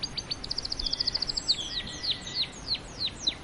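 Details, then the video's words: Canary singing: a fast, even trill of about fourteen high bright notes, followed by a series of sharply descending slurred whistles and a few long steady tones underneath. "Canary Birds"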